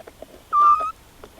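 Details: Single short level whistled note from a Eurasian scops owl, one of a mating pair in spring 2016 in countryside near Cavarzere, Italy, with faint background clicks.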